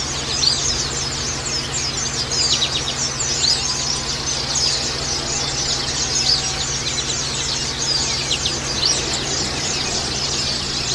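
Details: Oriental white-eye colony singing at once: busy, high-pitched chirping and rapid twitters stream on throughout, slightly louder bursts now and then, above a faint low hum.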